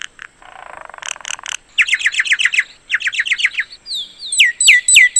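Common myna song: a harsh buzzy rattle, then rapid series of bright descending chirps and ringing whistled notes, mixed and varied.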